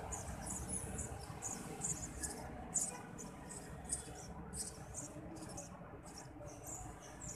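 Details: Begging from Eurasian tree sparrow nestlings as the parent feeds them, heard as rapid high-pitched squeaky bursts, irregularly spaced, with a low rumbling background.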